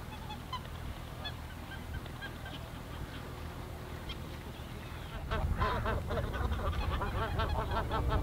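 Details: A flock of greater white-fronted geese in the Ahsewiesen nature reserve, Germany, on a February afternoon; a few faint honks at first, then a sudden loud swell of many overlapping yelping, laughing calls from about five seconds on.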